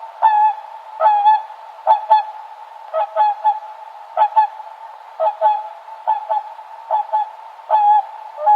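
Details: Swan uttering harsh, nasal double honks at irregular intervals of about a second, clear and close, with a low continuous tone beneath and no other animals heard.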